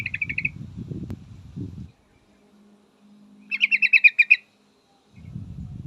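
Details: Female yellow-vented bulbul calling a male: a short chattering fragment at the start, then a fuller burst of about ten quick, bright notes, with low rumbling noise before and after.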